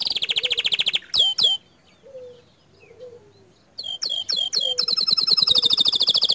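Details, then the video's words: Bottle-green canary singing tutor material with 'tembakan' shots that are said to provoke other canaries: a rapid trill, two sharp whistled strokes, a quiet pause with soft notes, then clipped notes building into a long, fast high rattle. "Masteran Kicau Kenari Warna Hijau Botol Suara Tembakan nya Bikin Emosi Kenari Lain"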